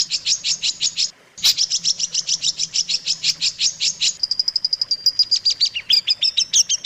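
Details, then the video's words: Tutor song of the long-tailed shrike for caged birds: high chips, a short pause, then a faster, thinner trill rising in pitch and ending in sweeping whistles. "suara masteran burung cendet paling di cari"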